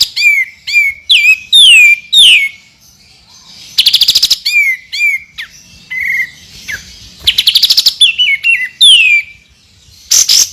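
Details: White-rumped shama (murai batu) master song with 'tembakan' phrases for training champion birds. Clear ringing whistles and sweeping slurs alternate with two dense rapid rattling bursts, delivered in energetic bouts with short silent gaps.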